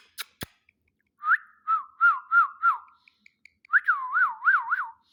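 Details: Talking ring-necked parakeet kept as a pet whistles two phrases: first a rising note, then a level tone with four looping wavers, and second a louder run of five quick warbled loops, after a couple of sharp clicks.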